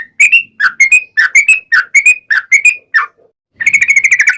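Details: Sooty-headed bulbul, long 'ropel' song used as a lure: a run of paired rising whistles, a short pause, then a fast chattering burst of rapid notes.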